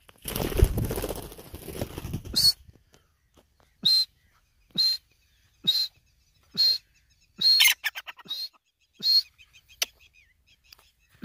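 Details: Iranian grey francolin (teetar) giving loud, shrill, high-pitched notes repeated about once a second, after an opening burst of rustling handling noise.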